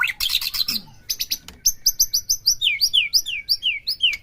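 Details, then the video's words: White-rumped shama, a captive bird, singing in a recording meant to stir another shama into full bongkar song: a burst of scratchy chattered notes, then a steady series of sharp, high, down-slurred whistles, roughly three per second. "PERANGSANG EMOSI MURAI BATU AGAR CEPET IKUT BONGKAR"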